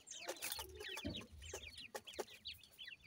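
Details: Female grey francolin feeding with her chicks, giving rapid high chirps that dip and rise, scattered over a few seconds amid sharp clicks and soft low rustling sounds.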